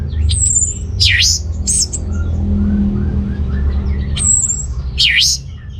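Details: Singing orange-headed thrush, meant to prompt sluggish males into breeding condition: a high thin whistle followed by a deep swooping note, repeated twice with soft twittering between, against a persistent low drone.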